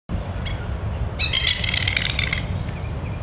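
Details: A parent Masked Lapwing guarding three new chicks in a park in NSW, Australia, gives a warning call: a single sharp note, then a loud, harsh, rapid chattering burst of about a second, with steady low wind or traffic rumble underneath. Chicks go to ground.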